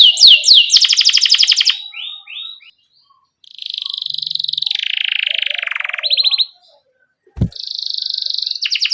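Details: Canary in energetic chirping, rolling song used as a master tutor for young canaries learning to sing: rapid high sweeping notes and fast buzzy trills, then a long wavering whistled phrase, a short pause, and more quick trills.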